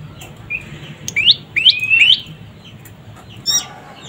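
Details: Young prinia (prenjak pyeng) uttering a few scattered rising chirps, some drawn out into a short trill, then a single higher, sharper note.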